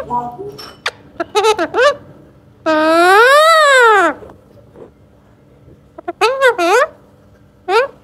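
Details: Baby Alexandrine parakeet kept as a pet and said to be talking. Quick short notes lead into a long, loud, arched call that rises then falls over about a second and a half. More brief bursts follow, then a final short note.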